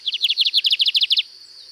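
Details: 'Canto diferenciado' song of a Lined seedeater from Sítio Paraitinga, Cunha: a brisk run of about fourteen high, buzzy, downward-slurred notes in pairs, stopping abruptly after a second, with constant insect hum.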